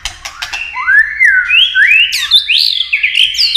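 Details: White-rumped shama in competitive song, delivering a long, flowing series with tail-flicking. Smooth rising whistled slurs follow one another, climbing step by step to higher, brighter notes, opened by a few quick clicks.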